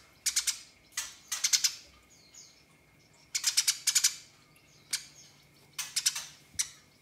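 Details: House sparrow fighting and calling rivals: grouped bursts of two to four loud, grating chirps spaced about a second apart, with faint softer chips and a steady high hum in the background.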